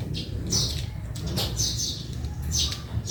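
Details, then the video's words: Quick, sharp sparrow chirps in a backyard, a few drawn-out squeaky notes among them, with continuous low-pitched background rumble. "Honi ng maya sa bakuran/Relaxing sounds of sparrow 🐦 in the backyard"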